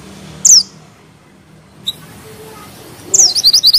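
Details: Mantenan gunung, a bushchat, in song: a strong high descending chip, a long near-silent pause with one faint click, then a second chip leading into a short burst of quick high upslurred notes.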